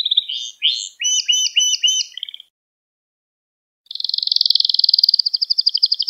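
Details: Canary lesson song meant for teaching young canaries to sing: rapid rattling trills and stacked chirped notes, a pause of over a second, then a long fast buzzy roll of evenly repeated pulses.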